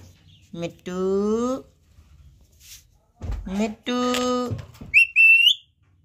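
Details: Talking parrot, called batooni tota, indoors: two voice-like, harmonic utterances, each under a second, then a short rising whistled phrase near the end, with quiet room noise between.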